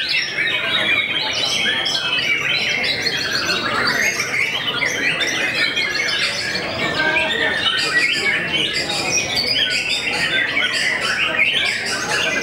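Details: White-rumped shama known for making opponents back off, singing a long, unbroken medley of quick trills, chattering notes and clear whistles over a busy background.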